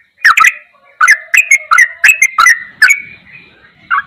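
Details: Masteran of a Sooty-headed bulbul in ropelan goklikan style: a handful of bright whistled chirps with clicky attacks, trailing off into quiet before one last note.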